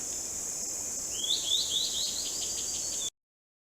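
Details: Bicolored Antbird in Central American rainforest understory, singing to keep track of others: about eight quick, clear upslurred whistles on nearly one pitch, speeding up then slowing and trailing off, over a steady high insect drone.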